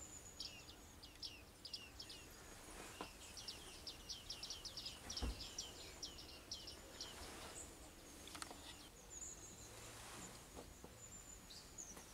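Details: Bearded reedlings, also called bearded tits: a rapid series of short, high, downward-curving metallic notes clustered in the first half, then sparser fainter notes, over a steady high-pitched hiss and low background rumble.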